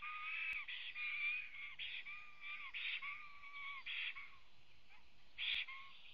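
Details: Black stork singing on arrival at its nest in Latvia, captured by a nest webcam on the morning of 23 June 2017. It makes drawn-out, wheezy, slightly whistled arched notes, irregularly spaced with short pauses, plus a couple of sharp clicks.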